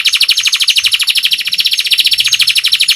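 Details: Rolling canary song recorded as tutoring material: a continuous, rapid, bright trill of evenly pulsed notes, about two and a half per second in clusters, with no other sounds.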